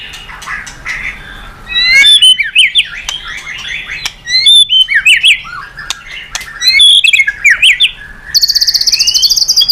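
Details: Long, varied white-rumped shama song for luring other birds to sing: zigzag whistled phrases repeated in bursts, sharp ticks, then a rapid high rattling trill at the close.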